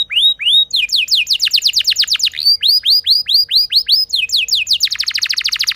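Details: Lure song of a canary for drawing other canaries into song, arched whistled notes in quick repeated series, changing pattern every second or so, closing with a rapid dense buzzy trill.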